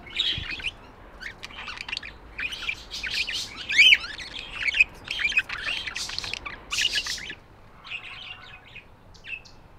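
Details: Budgies chirping in a dense, busy chatter of short high twitters and buzzy notes, with brief bright squeaks and a few quieter pauses across the stretch.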